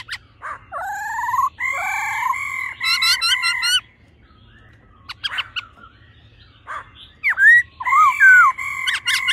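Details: Laughingthrush female ro and male song in old-forest voice style, used to fire up males: rising and falling whistles with harsh chattering bursts, a long pause, then loud swooping whistled notes.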